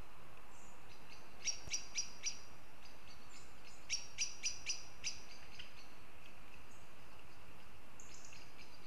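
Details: Two runs of brisk, staccato notes from goshawks in Riga, Latvia, four then five in quick succession, with faint distant bird calls and a steady low rumble filling the rest.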